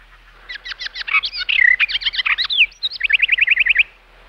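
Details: Bird chirping in a busy burst of mixed notes: sharp tweets and a few slurred whistles, then a neat, even series of about ten quick, identical high chirps before it stops.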